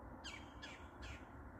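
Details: Red-bellied woodpecker in Maine: three harsh, raspy notes spaced about 0.4 seconds apart, faint against a low background rumble.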